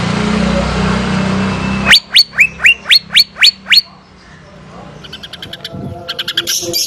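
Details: Pet female greater green leafbird from Banyuwangi: a low hum gives way to seven crisp, evenly spaced upslurred whistles, followed by softer rapid ticking notes.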